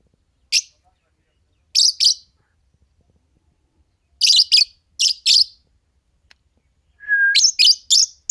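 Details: Pair of green Fischer's lovebirds chirping: sharp, harsh high notes in twos and threes, with a brief clear whistle before a fast closing run of rasping chirps.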